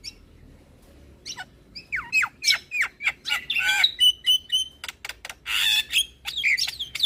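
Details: Javan myna lure song rich in fill-in phrases, opening after a quiet second with falling whistles, then a steady string of chattering notes, a sustained high whistle and a raspy burst.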